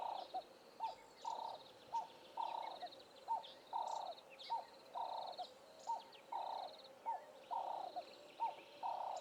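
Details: A Spectacled Weaver in the Eastern Cape bush of South Africa gives harsh, nasal notes about every second, short and drawn-out ones alternating, with a higher buzzy chatter from another bird over them.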